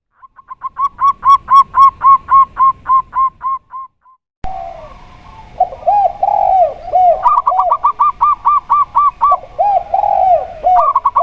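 A zebra dove gives a fast run of about fourteen bright, clipped coos. After a short break, lower rolling coos from a second dove overlap with more quick notes.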